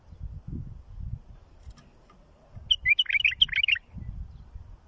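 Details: A bulbul gives its song, offered as tutoring for fledglings. A lively phrase of about eight bubbling, whistled notes, each swooping down, runs for around a second amid low background rumble.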